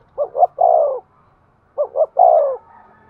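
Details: Spotted dove cooing as a decoy to lure wild birds: two short coos then a longer drawn-out coo, the three-note phrase given twice with a pause between.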